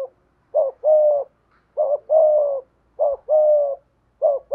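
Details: Spotted dove kept as a decoy, with 'giọng thổ' voice: steady series of low phrases, a short wobbling note then a sustained coo, repeated about every 1.2 seconds, with a faint low thump.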